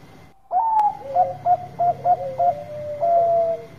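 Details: Bangkok zebra dove in full voice, its song played to stir up birds that are lazy to sing: a bright opening coo, about six short clipped coos in quick succession, then a long sustained coo; faint steady hum behind.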